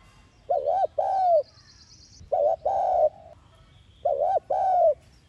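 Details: Cooing spotted dove used as a trapping and stimulation lure, thúc gù style: three phrases, each a short double-humped note followed by a longer hollow coo, about one phrase every one and a half seconds.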